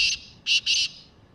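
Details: Black francolin giving a grating call of three rasping notes: one short note, then a pause, then two longer notes in quick succession, over a quiet background.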